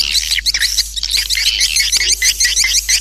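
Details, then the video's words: Swiftlet lure call used to attract swiftlets: rapid high, squeaky chirps and twitters repeated about three per second in overlapping runs, with a constant low hum beneath. "Suara tarik burung walet"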